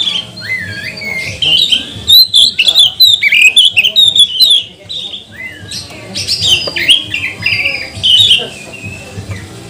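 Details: Magpie-robin lure song to get other birds singing: varied whistled phrases and rising slurs in lively bursts, some quieter stretches, over a soft low hum.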